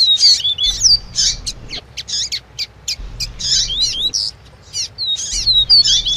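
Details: Double-collared seedeater in lively 'tui tui' song with a female's piping: fast-repeated high chirps and ringing up-slurred whistles, almost continuous, with a low hum beneath.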